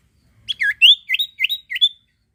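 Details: Sirtu bird song for prompting other birds to sing: a lively run of about seven bright, chirpy notes, mostly rising then dipping, delivered rapidly within two seconds.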